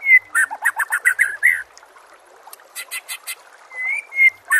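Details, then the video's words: White-rumped shama song played as a training recording for captive birds: short burst of rapid chattering notes, then clear whistled rising slurs and a few sharp repeated notes after a pause. "MASTERAN SPESIAL TAHUN INI AUDIO JERNIH KOMPILASI MEWAH UNTUK SEMUA JENIS BURUNG MURAI BATU"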